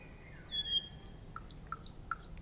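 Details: Nightingale singing: a few soft, drawn-out whistles and descending slurred notes, then short high notes spaced about half a second apart over a quiet background.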